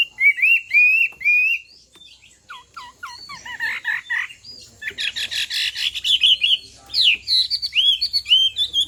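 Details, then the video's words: Female Chinese hwamei song used to excite a male into singing: looping whistled phrases, then a quick series of descending notes, building into dense, loud, varied warbling with rapid chattering notes. "Hoạ Mi Hót Rả Rích Nghe Cực Thích/ Tiếng Chim Hoạ Mi Hót Kích Bổi Nhanh Sổ Giọng"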